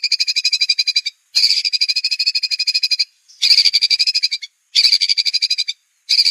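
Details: White-rumped shama (murai batu) master recording, clear and meant for other birds to copy, full of rapid 'tembakan' bursts: buzzy, evenly pulsed high trills about a second long, broken by short silences, repeated four times.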